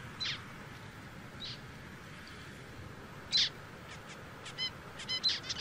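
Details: A zebra finch gives scattered short nasal calls, softer ones first, then a louder one, ending in a quick cluster of buzzy, harmonic beeps over low background noise.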